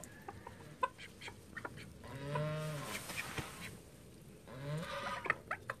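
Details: Call ducks, part of a flock of thirteen kept at home, give two loud, nasal, drawn-out quacks about two seconds apart among scattered clicks and soft background noise.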